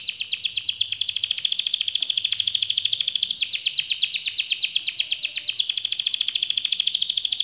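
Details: Canary song in the long rolling 'gacor' style: a continuous fast, buzzy trill of rapidly repeated notes sustained throughout, with slight shifts in pattern.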